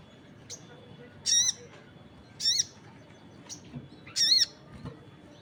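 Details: Crested jay calling with other birds answering: three harsh, grating notes about a second apart, mixed with shorter, thinner chips from other callers.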